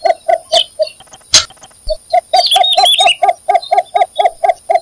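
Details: Cinnamon bittern (Ixobrychus cinnamomeus) calling: a long run of low, hollow croaking notes, about four per second. Other birds chirp high above, with a steady high insect whine.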